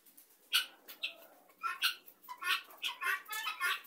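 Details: Flock of helmeted guineafowl gathered together: quiet, harsh, scratchy rasping calls overlapping and repeating irregularly from several birds.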